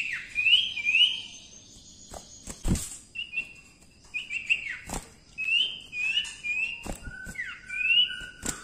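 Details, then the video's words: Quieter gacor song of a cipoh, the common iora, for masteran: scattered short whistled flicks and brief level notes, with a lower falling slur near the end and occasional sharp knocks. "cipoh gacor ampuh untuk masteran"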